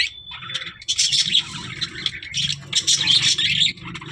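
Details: Budgerigars chattering in bursts of high, scratchy warbling with short squeaks, broken by brief pauses, over a faint low hum.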